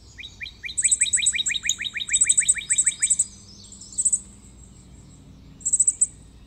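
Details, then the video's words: Red cardinal delivering a long, fast series of bright downslurred whistled notes lasting about three seconds, while very high, clipped chirping trills repeat intermittently in the background. "Cantoria do Cardeal Vermelho"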